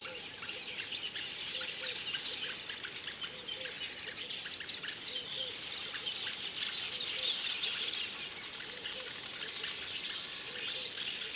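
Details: Village weavers (Ploceus cucullatus graueri) in Akagera National Park, Rwanda, in March, chatter in a dense, busy stream of harsh, buzzy, sizzling notes, with a steady wash of colony noise behind.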